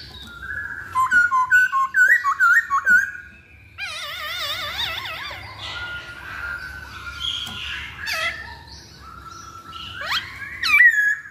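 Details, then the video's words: Masked laughingthrush song as a lure to prompt birds to sing: a run of loud, clipped whistles, then a quavering warbled trill, then softer drawn-out whistles and a final rising note. "Pancingan Poksay Hongkong Paling Ampuh"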